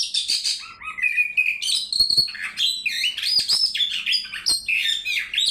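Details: Oriental magpie-robin in full song, meant to prompt another to sing: a loud, rich, fast-changing medley of sweet whistles, slurred phrases and scratchy high notes, delivered almost without pause.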